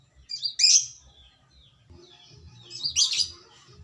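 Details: Lovebird calls meant to provoke other lovebirds: two harsh, buzzy, noisy squawks about two and a half seconds apart, with softer chatter and low thumping around them.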